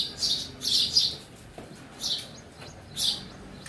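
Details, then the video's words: Sparrow indoors in a house, giving short, bright, high chirps in clustered bursts about once a second, with quiet gaps between them and a faint room background. "Real sound of sparrow in my house"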